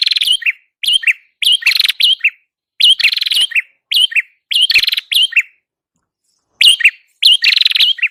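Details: A prenjak kepala merah (red-headed prinia) sings the energetic song used to lure birds. Clusters of chirps and harsh buzzy rattles come in quick groups, about a hundred phrases a minute, with a pause before the final bursts.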